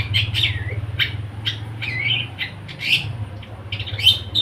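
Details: Long-tailed shrike singing in fighter style: harsh rasping notes and slurred squeaky chirps spaced irregularly, over a loud steady low-pitched hum throughout.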